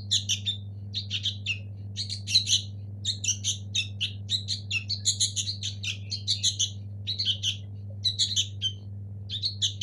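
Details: Local sooty-headed bulbul nestling calling in bursts of high, scratchy, chattering chirps, clustered groups every second or so with short gaps, over a steady low electrical hum.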